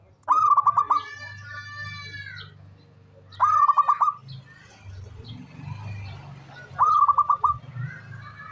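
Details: Loud local zebra dove phrases, each a short burst of rapid stuttering coo notes, given three times about three seconds apart, over a low steady hum and faint bird chirps.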